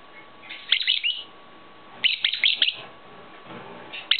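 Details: Pet lovebirds from a pet shop, one grey bird with clipped wings that cannot fly but keeps trying; shrill, high chirps in two quick clusters of five or six notes, plus a brief single chirp at the end.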